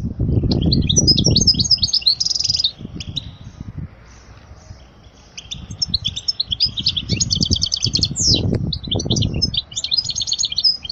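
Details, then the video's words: European goldfinch singing to teach young goldfinches, a bright, fast, jingling twitter with a brief buzzy rattle, continuing almost throughout while low thumping and rustling noises come and go underneath. "اجمل غناء لتعليم صغار الحسون"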